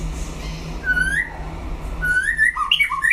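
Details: White-rumped shama in a singing contest; a single rising whistled note, a short pause, then a quick series of bright whistled notes jumping up and down, with a low hum beneath.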